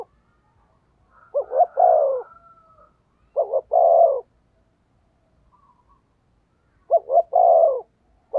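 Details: Spotted dove used to decoy wild doves, giving three spaced cooing phrases of quick double notes and a longer coo, with quiet gaps and faint soft notes between.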